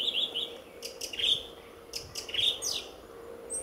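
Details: Song thrush in full voice near the car park at RSPB Fowlmere on a February dawn; short bright whistled phrases alternate with scratchy high notes, several bursts in under four seconds.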